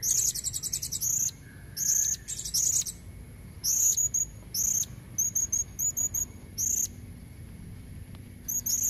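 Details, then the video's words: Female blue-crowned hanging parrot calling to lure red-throated males, wild sound: bursts of very high, thin, rapid squeaky chatter alternating with short clipped single and double squeaks, repeated throughout, over a faint low rumble. "Suara serindit betina buat pancingan jantan leher merah"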